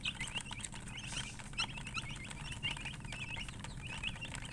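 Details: Chickens, a coloured murgi hen with chicks, heard as a lively mass of shrill rising and falling peeps in quick runs, a low hum and faint clatter behind.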